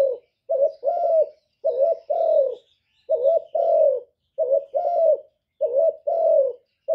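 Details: Spotted dove calling steadily: repeated three-part phrases, each a short note followed by two longer rounded coos, given back to back about once a second, with no other sounds.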